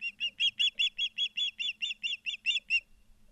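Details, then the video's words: Close, loud burst of piercing, slightly uneven chirps, around fourteen in under three seconds, from ospreys at a nest in Charlo, Montana, on a September 2023 live camera feed. "Charlo Montana Ospreys"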